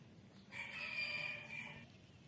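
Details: A rooster crows once: a single drawn-out, harmonic-rich call lasting over a second, held fairly level and then fading. A low steady hum sits in the background.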